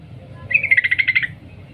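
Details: A single rapid, bubbly burst of about ten chattering notes from a female yellow-vented bulbul calling to the male, set against steady low background noise.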